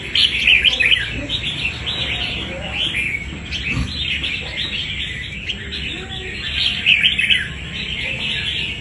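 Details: Wild-caught red-whiskered bulbul kept as a fighting bird, giving dense bursts of bright, chattering chirps and short warbled notes, loudest near the start and around seven seconds, over a steady high hiss.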